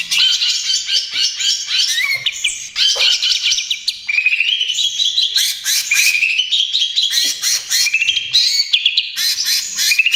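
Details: Greater green leafbird pouring out nonstop 'trotol gacor' song for luring and therapy of other birds. Long, varied, fast warbling mixes chirps, slurred whistles and harsh chattering across about ten seconds without a real break.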